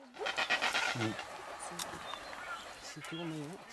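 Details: Red-footed booby (Sula sula websteri) on Genovesa, Galápagos, Ecuador, in May 2012, giving two low, nasal, croaking calls, brief and then drawn out, over a hiss of wind or surf and faint background voices.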